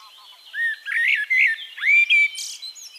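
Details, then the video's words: Eurasian blackbird in Castricum, the Netherlands, delivering a full close phrase: low mellow whistles sliding upward into clear fluted notes, followed by a brief hissing squeaky flourish high above. "One Hour Relaxing Birdsong: Blackbird"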